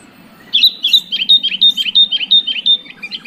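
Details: Kutilang, or sooty-headed bulbul, song meant to prompt a quiet bird to sing: a quick, steady string of about a dozen clipped, chirping notes on a high, even pitch, lasting nearly three seconds.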